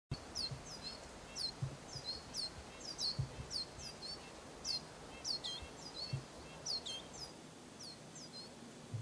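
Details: Juvenile Lesser Goldfinch begging from its parents, adult male and female present, near Eugene, Oregon, in August: rapid, high, thin rising-falling chips repeated several per second over a low background rumble.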